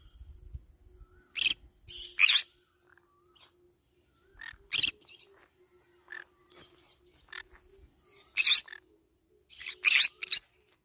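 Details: Green-cheeked conure eating banana leaves, giving short harsh chirps and squawks in scattered bursts, some paired, with quiet gaps between.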